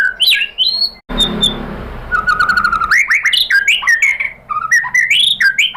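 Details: Shama lure sound (pancingan murai): varied whistled phrases, a sustained level note, then a rapid chain of upward-sweeping and looping notes, with short pauses and faint background hiss.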